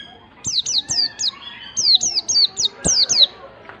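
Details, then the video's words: White-eye singing in ngalas style to stir a silent bird into song: a steady series of about ten high, clear, downward-sliding whistles spaced roughly a third of a second apart, with faint clicks beneath. "PANCINGAN PLECI MALAS BUNYI pleci malas bunyi langsung ngalas emosi"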